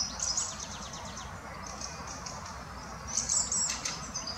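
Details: Fieldfare, an adult together with a juvenile, in the Botanical Garden in Munich: thin high chattering pulses in a quick run, then a louder squeaky burst near the end, over a steady low background hum.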